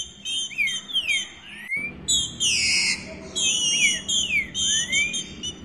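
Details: A female green-winged saltator calls for mating, giving clear, high whistled notes that slur up and down in quick bursts with short buzzy trills between.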